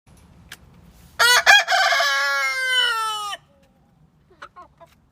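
A rooster gives one long, loud crow lasting about two seconds, harsh and harmonic-rich with a falling tail, followed by a few soft clucks.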